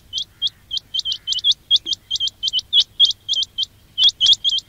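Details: Quail call used to attract quails in trapping: a steady series of sharp, high, rising chirps, many in pairs, about four per second, over a quiet low hum.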